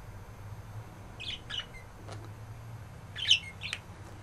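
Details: A pet budgerigar gives two brief bursts of scratchy chirping notes, each a quick pair of squeaks, over a steady low hum.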